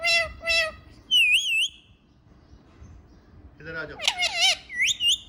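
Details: Pet ringneck parrot talking and dancing indoors: harsh speech-like syllables, a wavering high whistle, then a burst of loud squawky talking with warbled whistles.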